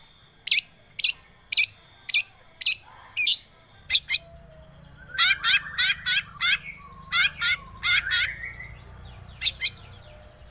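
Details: Long-tailed shrike lure song for prompting a silent shrike: a string of evenly spaced sharp chips, then louder harsh calls and slurred falling whistles over a low background hum.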